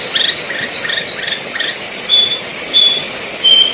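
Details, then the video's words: Sooty-headed bulbul song for training birds: a run of short chirped notes followed by longer clear whistled tones, steady hiss and insect-like buzz in the background. "masteran burung kutilang pikat"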